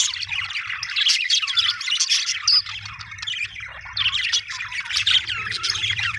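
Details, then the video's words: Happy budgerigar giving nonstop warbling chirps and scratchy squawks, the chatter rising and falling in bursts over a soft low background hum. "happy budgie chirping sound"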